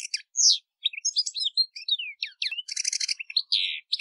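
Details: European goldfinch singing, with variations in its song: quick high twittering, with liquid chirps, slurred falling whistles and buzzy rattling bursts. The phrases run in a rapid, uneven stream, and no other sounds are heard.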